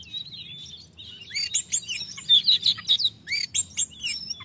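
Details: Ngeplong-style Oriental magpie-robin song meant to stir an untrained, lazy bird into singing: soft warbled whistles at first, then a loud burst of crisp chirps, upslurred whistles and buzzy trills in quick succession over a low background hum.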